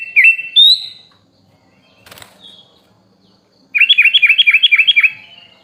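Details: Tutor song of a sooty-headed bulbul, used to train caged songbirds and described as packed with rich fill-in phrases: two short slurred whistles, a faint flutter, then a rapid string of about ten sharp dipping chirps.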